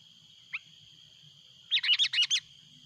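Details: Sooty-headed bulbul calling noisily as a rival arrives, a loud lure recording: one faint short note, then a quick burst of about six bubbly, chattering high notes lasting under a second, over a steady high background hum.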